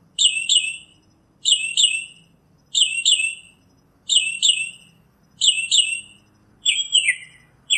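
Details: Northern mockingbird singing a doubled, slurred high phrase repeated steadily about every 1.3 seconds, six times, then switching to a different falling note.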